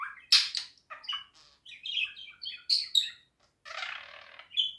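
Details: Pet budgerigar song: a busy run of short chirps, squeaks and scratchy warbled notes in quick bursts, with a harsher buzzy stretch near the end.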